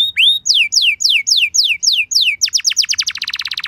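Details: Canary lure song (pancingan), a luxurious song played to make other canaries answer: rapid tours of downward-sweeping whistles about four per second, then a faster trill of steep notes.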